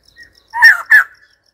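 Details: White-crested laughingthrush uttering two loud, rough, slightly descending notes in quick succession, with silence around them.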